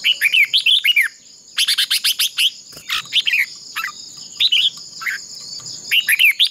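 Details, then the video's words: Caged red-whiskered bulbul used as a decoy, singing in a fighting contest for voice training: several bursts of rapid, bright whistled notes rising and falling, separated by short pauses, over a steady high-pitched whine. "Chào mào mồi hót đấu quá tuyệt!! - Luyện giọng Chào mào hót hay"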